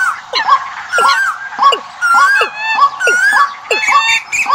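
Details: Decoy track of birds for migrating season: clear arching whistles and sharp down-slurred chips in bursts about every half second, several voices layered over one another.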